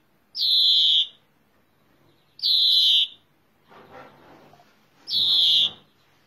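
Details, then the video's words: Drawn-out wheezing buzzes from a European greenfinch, repeated three times about two seconds apart, with a soft rustle or muffled noise between the second and third. "Greenfinch Song"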